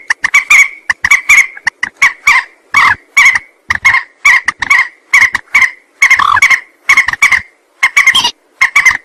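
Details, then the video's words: Lure recording of a rail for trappers and hunters. A long steady series of harsh, nasal, rasping notes runs almost without a break. Single notes and pairs follow each other about twice a second for nine seconds. "Suara pikat burung mandar"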